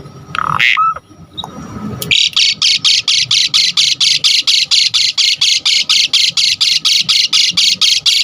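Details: Lively Asian pied starling (jalak suren) song meant to stir other starlings into singing: a rough call and short whistle, then a long steady series of harsh buzzy notes, roughly four every second.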